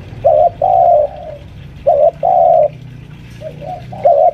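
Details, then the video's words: Spotted dove lure bird, about five years old, kept at home and pressing a rival: two loud short-long coo pairs, a trailing fade, then a faint double coo and another loud note. "suara pikat tekukur"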